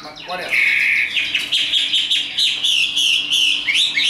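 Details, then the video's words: Tame caged Chinese hwamei singing fighting song: a long loud whistled phrase held high and wavering, rising into repeated bright slurred notes with a short rapid rattle at the start. "Họa mi số 1120 Chim thuần 100% sách tay hót đấu đá rất tốt"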